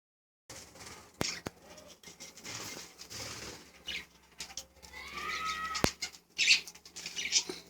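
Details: Budgerigars giving scratchy, irregular chattering notes with a few short clear whistled sweeps near the end, mixed with soft rustling and clicking in the background.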